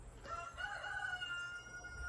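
A rooster crows in the background, a long drawn-out note holding steady then tailing off over about two seconds, with faint room noise.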